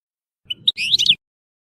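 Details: European goldfinch from Tissemsilt singing: a brief burst of bright, twittering notes, a couple of short chirps followed by a dense liquid tangle of high trills lasting under a second, in a quiet setting.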